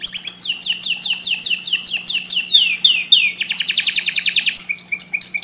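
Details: Canary singing to prompt breeding readiness: a string of evenly spaced sweeping notes, about three per second, speeds into a tight bright trill, then ends in soft repeated two-part whistles, over a low hum.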